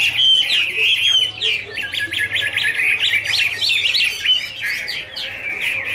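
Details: Hwamei pair singing a duet while dancing: a long steady whistle, then a quick run of choppy, repeated up-and-down notes forming a busy, jumbled warble.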